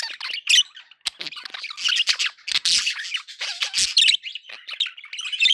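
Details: Happy budgerigars in a loud, dense flurry of raspy warbling and shrill squeaks, almost without a break.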